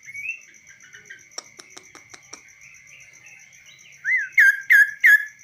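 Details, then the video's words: A tame, hand-trained kaso-kaso bird perched on a hand outside its cage ends with four loud, sharp downslurred whistles about a third of a second apart, after soft chirps and clicks over a steady high background tone. "BURUNG KASO KASO GACOR"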